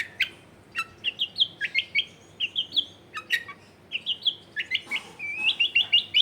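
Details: Lively long-tailed shrike song, played as a lure to coax reluctant shrikes into singing: fast runs of rising chirped notes in quick series, one brief noisy burst midway, and a low hum beneath.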